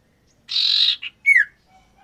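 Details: Common iora, male and female in a breeding enclosure being matched for mating: a long grating buzz, a brief blip, then a single bright whistle gliding downward.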